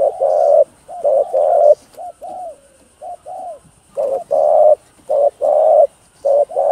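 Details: Spotted dove cooing rapidly to stimulate other doves, in calling, urging and crooning styles; loud short-long coo pairs, a softer run of small rising notes midway, then strong pairs again, with a faint high steady whine behind.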